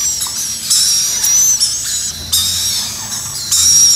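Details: A black-capped lory gives harsh, hissing screeches in several bursts of half a second to a second, with thin whistled overtones and no other clear sounds.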